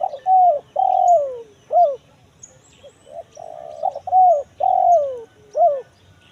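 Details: Cooing of a spotted dove in the kuk 1 mersik voice type, a lure for wild forest birds: repeated three-part phrases of a short hoot, a long drawn coo dropping at its end, and a clipped closing note.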